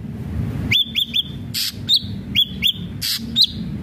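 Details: Ashy drongo giving quick sets of two or three arched whistles, some higher and rising, mixed with loud clicks, over low ambient rumble.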